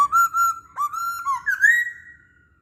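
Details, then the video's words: Masked laughingthrush whistling as a lure for other birds: a string of strong, even whistles with short gaps, closing on a rising buzzy note that fades out. "Burung Poksay Hongkong Gacor"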